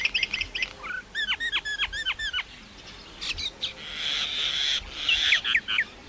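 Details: A common myna sings in several styles, opening with fast clicking notes, then a steady series of down-slurred whistles, followed by a long grating buzz and a few sharp calls.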